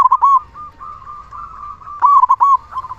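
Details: Loud-voiced local zebra dove singing, recorded to rouse quiet or stressed zebra doves into calling; a short, staccato, mellow cooing phrase opens and returns after a steady soft trill, with a fragment at the end.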